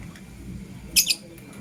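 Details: Blue opaline and green personata lovebirds in the morning, giving two short harsh, rasping chirps in quick succession against a faint low background hum.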